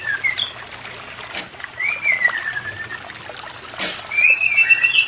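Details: White-rumped shama, aimed at a pair not in breeding condition: a few drawn-out, slurred whistles separated by pauses, one long falling note and a final rising one, with faint background hiss and clicks.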